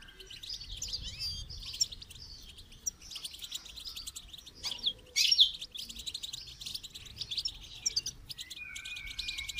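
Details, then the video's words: Goldfinch singing during song training: a continuous stream of high, liquid twitters and rapid trills, broken by a few sharp clicks, with a short clear whistled note near the end. "Motivational rewards for training goldfinch to song"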